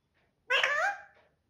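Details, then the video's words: Pet parrot speaking indoors: a single short harsh, nasal, word-like vocalisation with rising and falling tones, followed by a person asking a word. "Parrot speaking mithoo"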